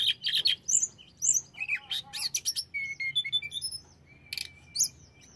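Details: Tledekan (hill blue flycatcher) singing a provoking song aimed at riling other birds. Dense high chattering bursts are followed by short whistled notes, a steady thin whistle and a few final sharp calls.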